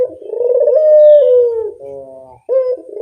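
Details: Barbary dove used as a lure call: a long, smooth, low hollow coo held steady and slightly falling, then a softer buzzy trailing note, a short pause, and a fresh coo starting.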